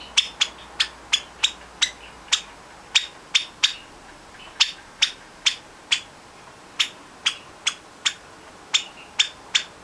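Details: A young Java sparrow, August 2009, calls to companions in the next room with sharp, high chips about three times a second in short runs with brief pauses. The owner hopes the voice means it is female.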